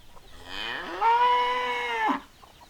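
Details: Rooster crowing once: a clear harmonic call rising over half a second, holding a steady pitch for about a second, then dropping off sharply, on a quiet background.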